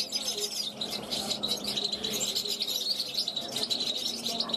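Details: Young European goldfinch born in 2021, at a balcony, calling to wild goldfinches flying past: a dense, continuous high twittering of quick chirps and trills with a faint low background hum.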